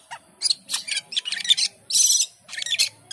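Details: Asian pied starling in energetic song: a rapid jumble of harsh, rasping, broadband notes and short chatters, with one longer grating burst midway.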